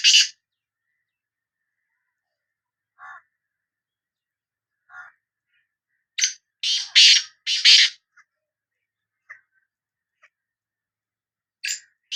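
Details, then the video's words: Black francolin, named as the Sindhi kala teetar, calling. A harsh opening note, two soft lower notes several seconds apart, then a loud series of rasping bursts. Scattered faint notes follow, with another harsh note near the end. "Kala Teetar Voice | Black Frankoline Voice کالا تیتر کی آواز"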